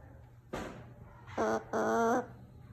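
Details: Umbrella cockatoo being noisy indoors: one short sharp cry, then two loud harmonic squawks, the last drawn out about half a second, over a faint steady room hum.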